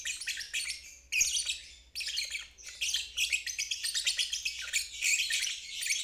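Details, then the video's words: Lovebird singing its 'ngeriwik' trill, used as training for young birds and birds that have stalled. Continuous, scratchy, high chatter with brief dips near one and two seconds, then rapid stuttering notes to the end. "Terapi Lovebird ngeriwik"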